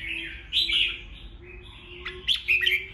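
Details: Red-whiskered bulbul singing a fighting song meant to provoke rival birds: two bright warbled phrases of quick rising and falling whistles, separated by a quieter gap, over a faint low steady hum.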